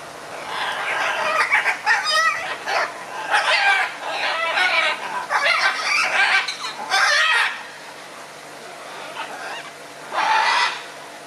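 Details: Red-and-green macaws exchanging views: a long series of loud, harsh, rasping squawks and screeches in quick succession, then a pause and one final grating cry.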